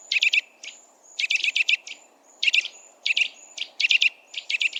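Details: Wild Eurasian nuthatch (Sitta europaea) giving loud piping calls: quick bursts of three to five sharp, high notes about once a second, with thin whistles between, over a soft low hum.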